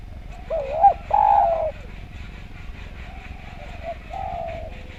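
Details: Spotted dove singing on a training recording for other birds: two loud, mellow coos, the second long and falling, followed by faint softer coos over background hiss.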